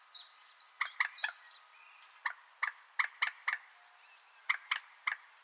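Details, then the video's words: Common moorhen uttering a series of short, harsh, knocking notes, singly and in pairs, at an uneven pace, with thin descending whistles early on. "Moorhen Bird Sound | Beautiful Calls & Sounds of the Common Moorhen"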